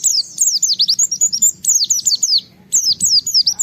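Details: Japanese white-eye challenging a rival to make other white-eyes sing: loud, quick strings of piercing high whistled notes that slide downward, in three tight bursts with a brief gap.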